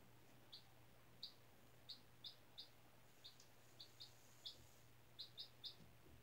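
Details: Four-day-old chick hatched in a school incubator, resting on freshly changed bedding indoors, peeping steadily: about a dozen short, bright, high chirps at irregular half-second intervals, with a faint low hum in the room.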